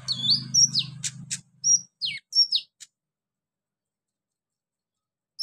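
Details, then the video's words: Thin, high whistled notes sliding downward, mixed with sharp ticks, from a kept konin sunbird over a low hum, then near silence; part of a track used to bring the bird into song. "NGETREN TERAPI KONIN GACOR 2023 full roll rapat tembakan pedas"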